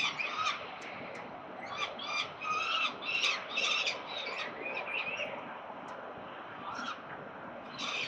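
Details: On 13 November 2022 at a peregrine falcon nest at 367 Collins, Melbourne, Australia, a cluster of loud, harsh squawking calls gives way to quieter, scattered notes, then a final burst, with a distant urban rumble.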